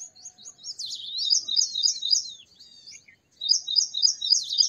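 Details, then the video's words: High-pitched song of a purple sunbird, fast repeated chip-like notes strung into rattling phrases with a brief gap before another run of the same quick notes. "Purple Sunbird Songs - Purple Sunbird Sound - Purple Sunbird Call - Purple Sunbird Singing"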